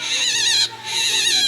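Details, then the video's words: Common mynas screaming loudly at midday after a myna chick fell to the ground: harsh, wavering, high-pitched screeches in two long bursts with a brief pause between. "তো এই পাখিটা এতটাই চিৎকার করছে, তো সেই জন্য বেরিয়ে এলাম।"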